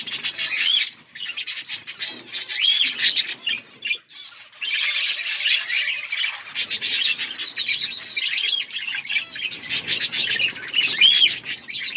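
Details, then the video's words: Many budgerigars in an outdoor colony keep up a lively warbling chatter of chirps, squeaks and short whistled slurs, with brief pauses between dense bursts. "Budgies chirping sounds in outdoor budgies colony"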